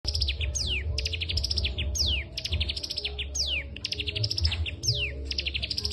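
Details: Cigun in full energetic song, trained on the song of the kapas tembak, repeating fast bursts of high ticking notes each ending in a steep downward-sweeping whistle, roughly every 1.5 seconds, over a steady low hum.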